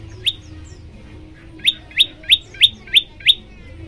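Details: Olive-backed tailorbird song played to get other birds singing: a single loud chirp, over a second of quiet, then six sharp, rising-then-falling notes repeated evenly about three times per second.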